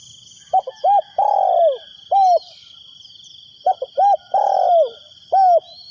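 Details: Decoy spotted dove calling to lure wild doves: two cooing phrases, each of short clipped coos followed by a long, slightly falling croo and a final coo. A steady high-pitched drone continues behind.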